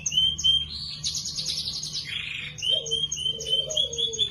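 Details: Canary tutor song with lively, ornate phrasing, intended for training other birds: thin high whistles repeated steadily, a dense rapid trill, a buzzy rasp, then lower slurred notes beneath ongoing whistles and low hum.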